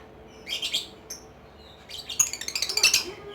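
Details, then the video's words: Lovebird giving ngekek song: a brief high scratchy chirp, then a quiet pause, then a fast run of sharp clipped twitters that quickens toward the end. "LOVE BIRD || ngekek 8 kilo meter"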